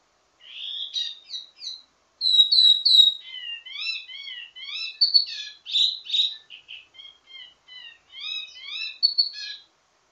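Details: Wambi mini singing a ledekan (teasing) song rich in variations, meant for training other birds of its kind: a steady stream of short high chirps and rising whistled notes, some slurred, with brief pauses between phrases.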